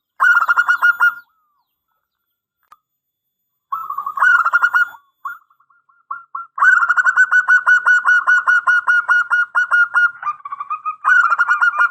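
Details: Local zebra dove (perkutut lokal) from Indonesia giving its song, kept as a lure and master for other doves. Repeated bursts of fast, rolling, bubbling coos hold one pitch, broken by pauses and a few short, softer notes.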